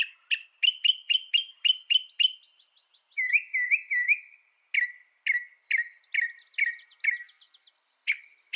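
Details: Northern mockingbird repeating one sharp chirp about eight times, switching to a set of warbled slurs, then to a run of lower downslurred notes, each phrase type sung in series.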